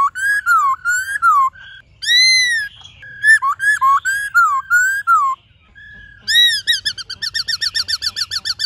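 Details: White-cheeked laughingthrush in varied forest-style song with many voices: rich whistled notes rising and falling in rapid phrases. Near the end comes a fast series of short repeated chirps.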